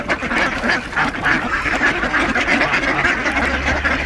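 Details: Ducks at feeding time on Diss Mere on 17 December 2022, joined by two geese; rapid, jostling quacks, roughly three per second, overlap in a loud, continuous clamour.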